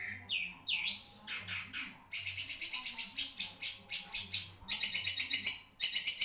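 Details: Long-tailed shrike song: two rising whistles open, followed by a long run of rapid, dry, buzzy pulsed notes that sharpen toward the end.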